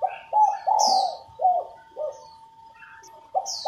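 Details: Female spotted dove cooing to stimulate newly caught males to coo sooner. Low, hoarse coo notes in quick uneven groups with short pauses. A steady faint tone runs throughout, and high thin chirps from another bird come and go.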